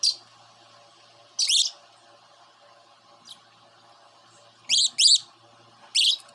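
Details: Pet cockatiel, now a young bird after growing from a baby, giving loud separate calls with a sharp rising-then-falling shape, one or two at a time, separated by quiet gaps of about a second or more.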